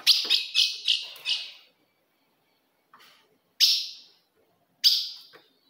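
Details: Fogo de fêmea of the ultramarine grosbeak, a female call played to provoke males: a rapid run of four sharp chips, then a pause and two louder, well-spaced single notes.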